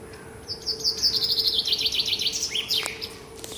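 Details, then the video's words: Small bird's morning song: a fast, ringing trill of some fifteen clear notes descending steadily from high to mid pitch, closing with a few lower slurred upswept notes, against a constant low electrical-like hum. "Таңкы чымчык сайроосу"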